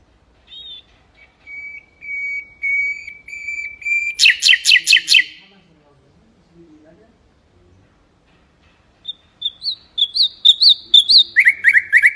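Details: Mangrove whistler song, melodious and varied: a long steady high whistle, then a burst of rapid buzzy notes, a quiet pause, and a series of quick rising and falling whistled phrases ending in repeated chirps.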